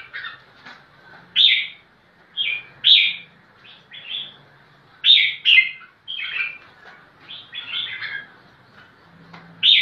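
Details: Crested bulbul singing while seeking a rival to fight: loud, short warbled phrases of bright whistles and slurred notes, given in irregular bursts every second or two with quiet gaps between.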